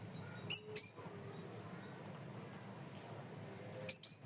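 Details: Cream-vented bulbul, or cucak rawis, in full loud, clear song for masteran training: a high piercing two-note whistle, several seconds of quiet, then another bright double whistle.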